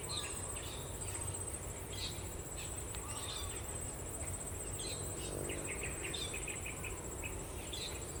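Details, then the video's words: Blue-throated bee-eater in Sabah giving short, high chirping notes in loose bursts, some quick and clipped, over a steady hiss of insects and a constant high electronic whine. "Blue Throated Bee Eater蓝喉蜂虎"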